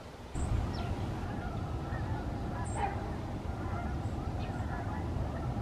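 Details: Canada geese flying in formation overhead, a flock giving overlapping nasal honks, many voices layered together in a steady chorus after a sudden start, with occasional higher chirps from small birds nearby.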